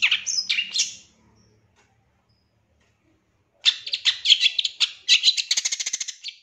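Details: Long-tailed shrike training song with 'isian tembakan' fill: harsh sweeping notes for a second, a long silence, then a loud rush of rapid, buzzy chatter ending in fast, evenly repeated ticking notes.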